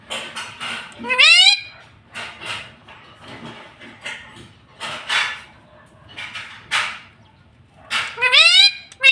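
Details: Talking ringneck parrot kept as a pet: two loud rising harmonic squeals at the start and end, between them softer breathy speech-like murmurs and ticking sounds.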